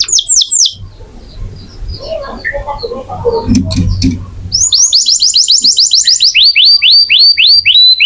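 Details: Canary song used as training audio for other songbirds: opening down-slurred whistles, a stretch of muffled noise and faint chatter, then fast repeated hooked whistles in a long regular series.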